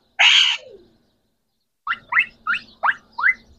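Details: A talking green Pakistani parrot, one of three: a single loud rasping squawk, then after a short pause five quick rising chirps at an even pace.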